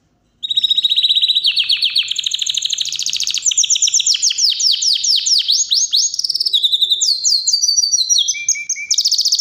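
A Yorkshire canary sings continuously in loud, high rolling trills and rapid chattering tours, shifting between buzzy runs and clear whistled notes without a pause.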